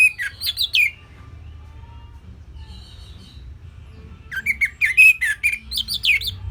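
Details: Orange-headed thrush, a training song for cage birds: a quick twisting phrase of high swooping notes, a pause, then a longer run of varied slurred and warbled notes.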